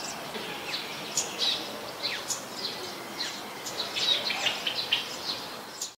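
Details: Scarlet-backed flowerpeckers in Ubon Ratchathani, Thailand, on 15 March 2021 give thin, sharp, very high tsip notes, scattered irregularly and sometimes overlapping, over a steady background hiss.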